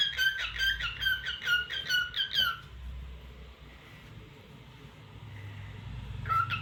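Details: Indoor cockatiel gives a steady series of about ten shrill, squeaky chirps in under three seconds, then a pause and another short squeak at the end, over faint low room hum.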